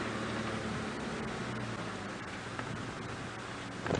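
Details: Broadband rushing noise with a low hum, like wind or an engine, fills the recording, and a faint rustle comes near the end.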